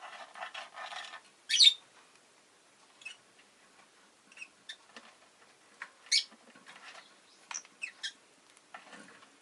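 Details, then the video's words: Pet rosy-faced lovebird chirping: a burst of soft scratchy noise, one piercing shrill note, then a run of short, irregular squeaky chips and clicks. "Lovebird Chirping Sounds"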